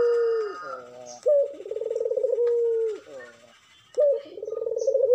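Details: Wild-type Madura spotted dove in breeding condition, singing vigorously, used as a lure to make other doves sing: a sharp rising note, a fast pulsed purring roll, then a long steady coo that falls away. A voice and a second similar phrase follow.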